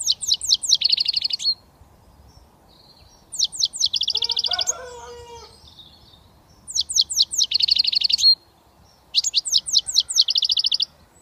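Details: Young British European goldfinch just starting to whistle, repeating a phrase of quick descending chirps followed by a buzzy trill, four times with pauses; a lower, harmonic-rich call from another bird sounds briefly midway.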